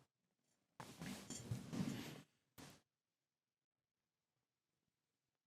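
A short burst of rustling, broadband indoor noise, then a brief thump, followed by near silence in a quiet small room.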